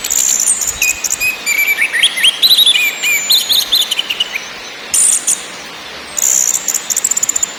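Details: Orange-headed thrush (anis merah) song in ngakrak, ngeplong and nyiul styles, used to stir caged birds: rapid, varied whistled phrases with sliding notes and dense buzzy trills, delivered in fast bursts.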